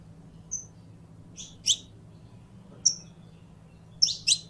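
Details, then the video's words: Saffron finch, known locally as canario criollo, singing: sparse high thin whistles and sharp doubled chirps, separated by pauses of about a second, over a faint low hum. "CANTO DE CANARIO CRIOLLO CANTANDO"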